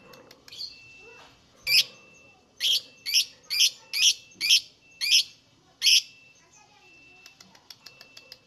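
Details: Lovebird singing for luring other lovebirds into song: about eight loud, raspy squeaks at irregular half-second to one-second gaps, framed by soft faint ticks at start and end.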